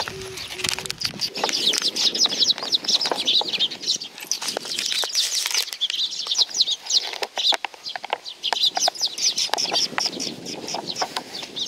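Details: Flock of sparrows coming to be fed at a Tenmangu shrine on Nakanoshima, 7 June 2020: dense, overlapping high chirps and tweets run nonstop, with bursts of wing flapping mixed in.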